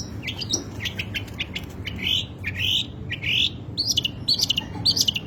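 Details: Long-tailed shrike singing a rich, varied and unruly song, with a flood of material: rapid chirps, slurred whistles and rising notes between about 2 and 8 kilohertz in quick irregular bursts over a low background hum.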